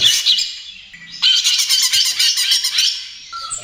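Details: Vigorous 'trotol' greater green leafbird song, used to prompt other birds to sing: dense high buzzy chatter with rapid pulsing notes for about two seconds, fading to a thin whistle at the end.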